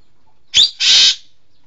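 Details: Green magpie, local name engkek keling, giving a short sharp note followed by a longer loud rasping, hissy screech lasting about a third of a second.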